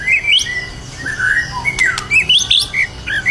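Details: White-rumped shama described as in full singing form and ready for a songbird contest in Indonesia, giving loud varied whistled phrases that leap between low and high notes, with sharp upslurs and short pauses, over faint room noise.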